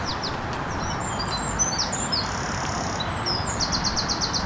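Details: A European robin sings high in a tree by a lake at Longton Brickcroft, giving thin, high, wistful phrases with quick changes in pitch over a steady rushing background noise.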